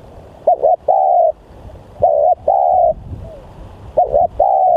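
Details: Spotted dove (tekukur) decoy, noted as very aggressive and vocal; clean, loud coo phrases roughly every two seconds, a quick doubled note then a sustained mellow coo, in a quiet setting.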